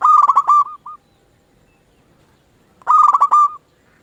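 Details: Two loud rippling coo phrases, each with a short soft note at the end, from a local zebra dove kept as a decoy to lure other zebra doves into answering.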